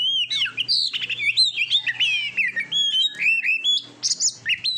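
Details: Oriental magpie-robin song made for training pet birds to sing readily in competitions: bright, dense sequence of whistled slurs, trills and high chirps, constantly changing pitch with barely any gaps.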